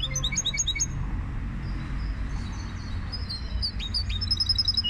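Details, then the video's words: Goldfinch hybrid bird giving quick, high, repeated metallic notes, then a quieter stretch of soft scattered chirps, and finally a run of bright, evenly repeated tinkling notes, over a steady low hum. "هجين الحسون Mixto del Jilguero"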